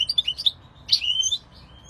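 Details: European goldfinch singing: a short run of bright, twittering notes high in pitch, a brief pause, then a longer slurred whistle gliding upward.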